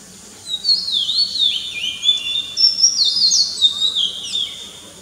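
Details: In the morning, an Oriental magpie-robin gives a rich, varied song of clear whistles and sweeping, rising and falling phrases, with a chorus of other birds behind it.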